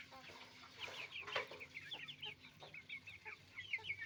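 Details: Many roosters and hens on a farm make noise together, producing a busy overlapping chatter of short rising clucks and squawks that comes in clusters, with a faint low mechanical hum underneath.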